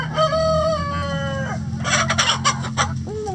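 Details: A rooster in a chicken coop gives a long, steady, harmonic crow lasting about a second and a half, then noisy clucking bursts and a short rising call at the end, over a low background hum.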